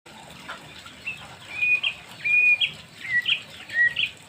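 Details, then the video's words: White-rumped shama singing with a showy, varied repertoire: short clear whistled notes and chirps around the middle-high range, given in separate bursts over faint background hiss. "murai batu materi mewah"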